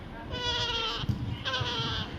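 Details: Tame baby parrot, reportedly agitated after pecking its keeper, giving two drawn-out nasal, bleating calls, each about half a second long, over faint room noise.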